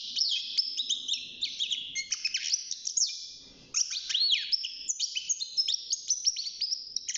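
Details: Six months old and caged, a young European goldfinch sings a dense, tinkling warble of rapid high twitters and falling slurred notes, with a brief lull just before four seconds.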